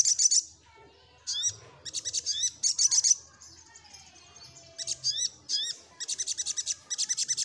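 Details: Little spiderhunter song given while seeking a rival, made of high, sharp chattering bursts of quickly repeated notes in runs of several, broken by brief gaps, with a few thin rising slurred notes between the bursts.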